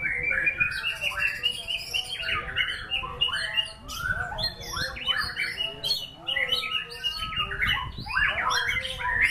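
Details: Murai batu, or white-rumped shama, singing a packed, energetic stream of high whistled notes and quick warbled phrases, repeated in bursts with short dips, over light low noise.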